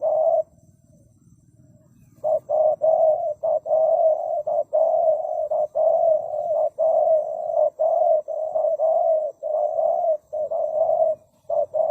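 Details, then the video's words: Spotted dove cooing loudly: a series of low, steady coos in short and longer notes, a brief quiet gap near the start, then continuous repeated phrases about once a second. "The Sound of Spotted dove"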